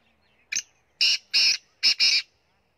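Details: Kala teetar, the black francolin, from Punjab, calling: a brief opening note, then three harsh, buzzy, grating bursts, the final one broken in two, delivered over about two seconds with little else heard.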